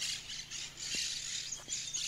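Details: In farmland full of parakeets on an afternoon hunt, with rain threatening, many parakeets squawk and chatter at once, a dense, harsh, high-pitched wash of overlapping calls with no pauses. Two brief low thumps are also heard.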